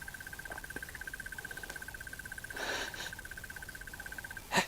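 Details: A Crested Barbet gives its unvaried song, a long even trill of about ten pulses per second for over four seconds, on an afternoon safari drive in Sabi Sands, 25 October 2015, in warm summer air; brief rustling near the end.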